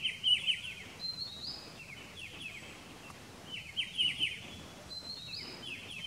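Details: Striated bulbul recorded in May at Pelling, Sikkim, India, giving rapid groups of bright, falling chirpy notes, repeated roughly every few seconds, with a constant high whine and faint hiss behind.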